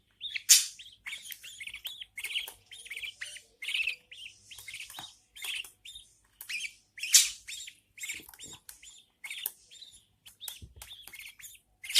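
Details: Mother budgerigar feeding her newborn chicks, which keep up a dense, uneven chatter of hoarse, rasping chirps and squeaks, some notes much louder than others, with barely any pause.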